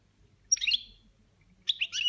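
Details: Boniments chatter from a pet European goldfinch: a scratchy, buzzing burst, then after about a second a second grating twitter with a sharp whistled note at its end.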